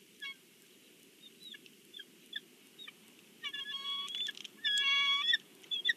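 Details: Bald eagles at their Big Bear nest, the family at breakfast, give soft scattered chirps that build into a loud, rapid chittering series of high whistled notes, then fade, against constant low background hiss.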